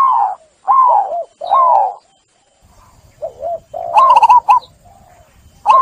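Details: Caged zebra dove song used as a lure to coax stressed doves back into cooing: short bursts of rapid, bubbly notes near one pitch, several rolling coos with gaps of silence between phrases.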